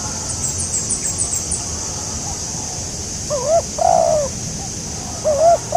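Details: Spotted dove at a trapping spot; soft background chatter of high chirps, then a few muffled two-part coos, a short wavy note leading into a longer low coo, moderately distant.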